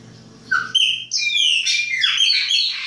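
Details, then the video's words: Chopi blackbird's baianinho winter singing: a low whistle leads into a dense, continuous warble of bright rising and falling whistles and chirps, loud and unbroken. "PÁSSARO PRETO BAIANINHO E SUAS CANTORIA DE INVERNO"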